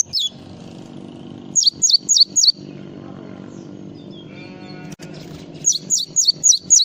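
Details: Java sparrow performing full isian song, with clusters of four or five crisp descending whistled notes separated by long quiet gaps over a steady low background hum.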